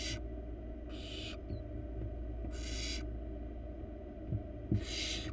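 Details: Rasping hisses from a wild barn owl nestling in a monitored nest box, four bursts at uneven intervals, with faint thuds near the end and steady background hum.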